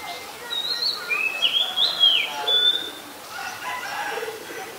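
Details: Oriental magpie-robin, a very common resident, recorded in Ubon Ratchathani, Thailand, on 7 January 2021: a few clear whistled phrases, rising and falling between mid and high pitch, with softer chirps after, over faint background hiss.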